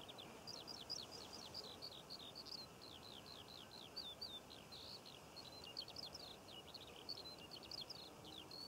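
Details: Eurasian skylark over poppy fields in Cornwall, June: rapid, continuous run of high, buzzy chirps and slurred notes, fairly soft and distant, with steady wind-like ambient noise underneath.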